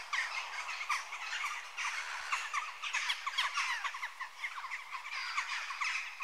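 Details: Harsh, squawking calls of Western jackdaws, many birds at once, short downslurred notes repeated in an uneven, continuous babble with loud peaks every second or so.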